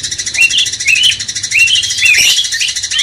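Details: Sooty-headed Bulbul singing as a master track to stir a magpie-robin: a series of short rising whistles, about five in three seconds, with one louder burst midway, backed by continuous hiss.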